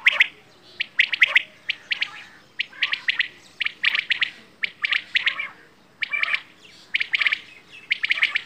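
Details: Quail, locally bedana or batair, producing clustered bright chirps roughly once or twice a second, each burst made of several quick squeaky notes over a quiet background.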